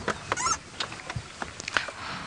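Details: Noisy family group of Red-billed Oxpeckers perched on top of a marula tree during a sunrise safari drive on June 11, 2017, making a racket: rapid harsh, hissing chattering bursts, about eight in two seconds, with a vehicle engine humming low.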